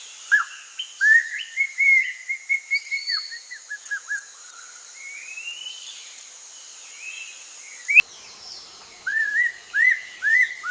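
A leafbird sings a lively run of whistled, chirping notes, many sliding up and down, in quick bursts with short pauses; a steady high hiss runs underneath.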